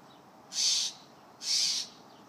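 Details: A juvenile Steller's jay (Cyanocitta stelleri) gives its begging call, demanding peanuts: two harsh, hissing, high-pitched rasps about a second apart, each under half a second.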